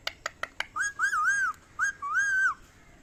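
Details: Ringneck parrot talking: four quick sharp clicks, then bright warbling whistled phrases that rise and fall, two long wavering notes separated by a short pause, in a quiet room.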